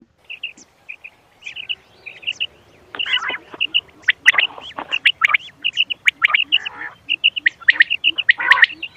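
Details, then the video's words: Quail calls played as a hunting lure: short, clear high notes in pairs and triplets, repeated in quick groups, mixed with harsh, scratchy squawking bursts that grow denser through the second half. "بٹیر کی آواز شکار کیلئے quail bird sounds for hunting bater ki awaaz"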